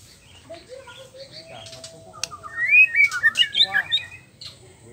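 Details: White-rumped shama song meant to stir other caged males to sing; a soft low whistle rises through a quiet opening, then a fast run of bright, jumpy high whistled notes follows over faint background hum.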